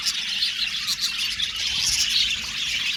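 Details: Aviary colony of Australian budgies producing constant bright chatter, with rapid overlapping chirps and warbles and a few louder squeaky notes rising above the steady twitter.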